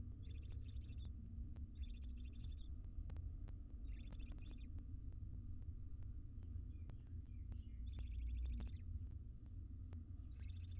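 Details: Wild barn owls, a sleepy family in a monitored nest box, giving a series of harsh raspy pulsed hisses roughly every two seconds over constant low hum, with faint scattered ticks.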